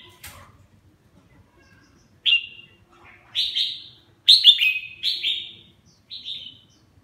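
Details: Caged red-whiskered bulbul singing as it bathes, giving clear, loud, downward-sliding whistled notes in short bursts, some doubled or tripled, separated by pauses, with light splashes and a faint rustle.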